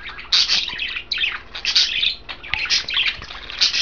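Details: Caged pet budgerigars, three birds in green, blue and white, chattering while they eat kale; overlapping scratchy chirps and short warbled phrases come in quick uneven bursts.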